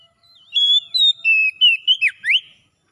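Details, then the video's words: Oriental magpie-robin 'ngalas' wild song, played to help a magpie-robin that has stopped singing: bright sustained whistles step downward, then twist into rapid slurred notes ending in a quick rising sweep, about two seconds long. "SUARA NGALAS TERAPI PEMULIH KACER NGEDROP"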